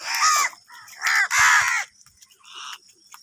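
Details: During a fight over food, angry crows let out two or three drawn-out, grating caws, then a fainter, softer call trails off.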